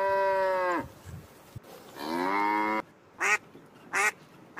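A duck gives two short, nasal quacks after some long, lower drawn-out calls.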